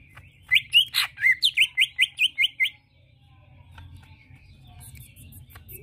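A greater green leafbird gives a quick burst of about ten bright, sweeping whistled notes over two seconds, then falls silent against a low background hum.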